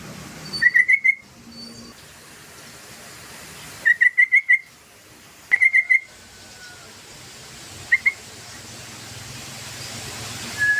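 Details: Yellow-vented bulbul song played as a lure to draw other birds into singing: short bursts of rapid, bright chattering notes near one pitch, repeated every few seconds, with a single brief note later and faint background hiss.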